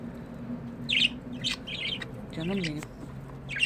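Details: Pet budgerigars kept by one owner, giving harsh scratchy chirps in short bursts, with a faint human voice murmuring briefly in the middle and a steady low hum beneath.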